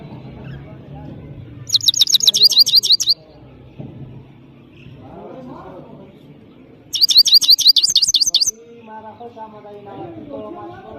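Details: Captive European goldfinch from Parachinar singing: two bright bursts of rapid, high, downward-slurred twittering notes, each about a second and a half, with quiet gaps and low background murmur and clatter between them.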